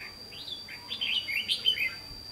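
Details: Red-whiskered bulbul singing as a decoy in a fighting-song trap setup, recorded 28 May 2016: quick chirpy, warbling phrases of rising and falling notes, with a steady high electronic tone running throughout.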